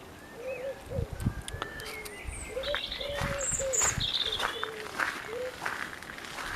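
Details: Wood pigeon cooing in soft, low, hollow phrases repeated every second or so, with bright twittering songbirds, in a fruit garden in west Ireland after a storm, cold northeast wind, apple blossom season.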